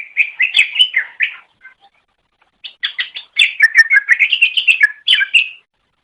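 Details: Training recording of a greater green leafbird meant to teach pet birds: bright whistled phrases, a gap, then a long chattering sequence of swooping, rising notes ending in a sharp flourish.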